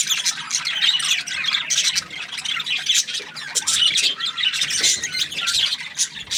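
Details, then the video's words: Contented budgie chirping in fast, uneven bursts of shrill tweets and grating squawks, high and busy throughout, with short pauses between phrases. "Happy Budgie chirping sounds"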